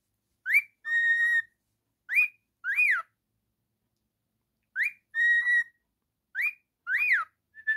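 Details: Male pet cockatiel singing and whistling: a phrase of quick rising-then-falling whistles and a steady, flat, slightly buzzy note, repeated twice with a pause between, in a quiet room.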